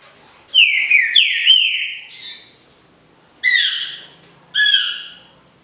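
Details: Captive Green-winged Saltator sings the "canto liso Paraná" song type: loud, rich whistled phrases, several falling slurred notes, then two bright descending notes after short pauses.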